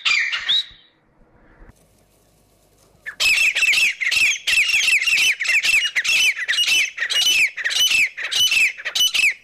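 Grey francolin giving loud, shrill, harsh repeated notes, about one or two per second, after a brief opening call and a short quiet pause.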